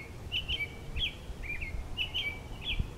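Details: An American robin perched on a pine tree branch sings short, clear, slurred whistled phrases, rising and falling, about two each second with brief pauses, over a low background rumble.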